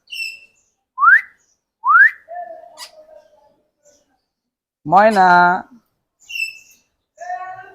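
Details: Common hill myna, one of a talking pair (male and female) kept together, giving two quick rising whistles a second apart, then speech-like chatter among softer whistles, with a person urging it to talk nearby.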